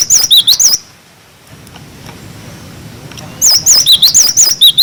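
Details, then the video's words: Wucit wucit song of a cinereous tit, recorded as a tutor for young birds: a quick burst of bright wavering whistles, then nearly two seconds of near-silence, then another rapid burst of alternating high and lower notes. "Masteran glatik batu wucit wucit"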